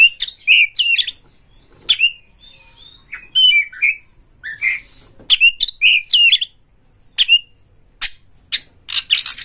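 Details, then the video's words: White-rumped shama song used to provoke other shamas into singing: fast bursts of whistled and chattering phrases, rich notes near the middle-high range broken by sharp upward clicks, delivered in quick clusters with brief pauses. "pancing KACER sampai GACOR NGEPLONG BONGKAR ISIAN BUKA EKOR suara cepat Naikan EMOSI KACER Anda"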